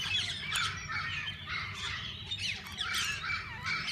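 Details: Mixed parakeets in a walk-in aviary where visitors feed and hold them, giving a dense, continuous chorus of harsh squawks and chirps with a few sharper, louder calls standing out.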